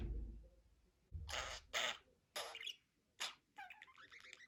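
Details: Talking budgerigar producing several loud, breathy, speech-like bursts, then a short run of bubbly, warbled chatter at the end; low rumbling handling noise at the start.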